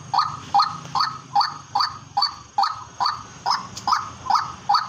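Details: White-breasted waterhen calling from a farm field: a loud, nasal, croaking note repeated steadily about every 0.4 seconds over a constant high insect-like whine and low background rumble.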